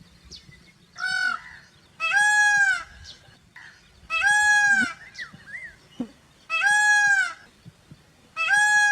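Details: Indian peafowl, peacock and peahen, give loud, harmonic, nasal wails, each about half a second long and repeated roughly every two seconds, with softer short notes in between.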